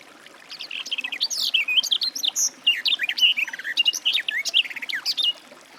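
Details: Garden warbler singing: a fast, rich, continuous warble of varied scratchy and sweet notes, rising and falling, running for about five seconds with no other sounds.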